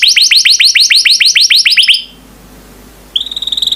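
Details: Yellow canary giving a fast run of repeated descending whistles for two seconds, a short near-silent pause, then a high steady trill begins.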